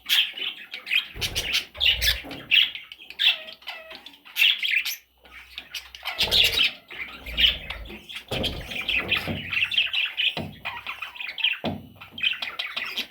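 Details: Parrot chicks keep up a steady chorus of harsh, raspy squawks and chirps, packed closely over thirteen seconds with brief pauses and occasional low knocks.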